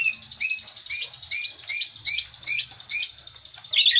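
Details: Green leafbird lure song used to coax a bird into singing its varied repertoire: high, sharp upslurred notes given in spaced bursts about every half second, ending in a quick warbled flourish, over a quiet background.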